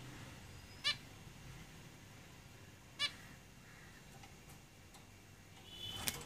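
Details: Two sharp, nasal honking calls about two seconds apart from zebra finches in a cage, followed by a brief noisy burst and a high squeak near the end.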